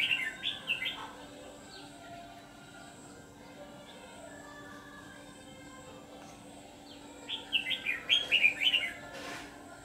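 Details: Decoy red-whiskered bulbul, white-cheeked and singing in the ché style, set out for trapping wild birds: a quick warbled burst at the start, a long quiet gap, then a fuller run of chirpy whistled notes near the end.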